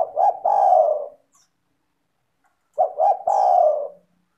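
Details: Tekukur, or spotted dove, singing a clear melodious lure song to draw other doves into calling: two low coo phrases, each a pair of short clipped notes followed by a drawn-out, gently falling hoot.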